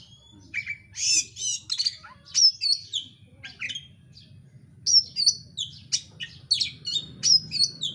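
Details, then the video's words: Oriental magpie-robin (kacer) singing persistently as a provoking lure: loud, packed phrases of high whistles, buzzy bursts and sharp chirps, pausing briefly midway before resuming. "pancingan kacer gacor isian rapat cepat ngotot emosi"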